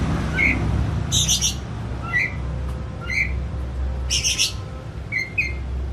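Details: Household pet Oriental magpie-robin calling while excited. Short whistled notes and a few harsh buzzy bursts are spaced out by pauses over a steady low rumbling noise.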